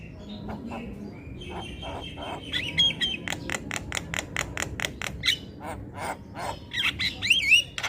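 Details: Javan myna in full voice, with other birds reportedly chiming in: a soft start, then regular sharp broadband clicks several per second, interspersed with whistled slurs and a rising-falling whistle near the end.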